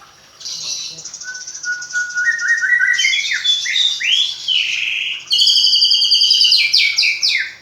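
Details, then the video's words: Caged magpie-robin, reared from a fledgling, sings a trilling buzz, a rising series of whistles, looping slurred phrases, then loud rapid high chips. "Burung murai rawatan dari trotol hasilnya lebih maksimal isian faseh2"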